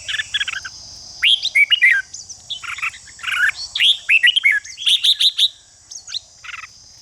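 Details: Red-whiskered bulbul song intended to excite competing bulbuls: dense chattering warbles and sharp rising whistles, with rapid high ticking notes near the middle, over a constant high-pitched drone.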